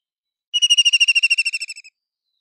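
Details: ['A loud, fast, rattling whinny from a White-throated kingfisher: around sixteen sharp pulses that start strong, weaken and slightly lower toward the end, lasting about 1.3 seconds in silence.']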